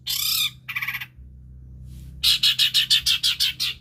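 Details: Mimicking long-tailed shrike, used as a lure to get birds that have stopped singing to call again: two rasping squawks, a pause, then a run of about nine evenly spaced, buzzy high chirps.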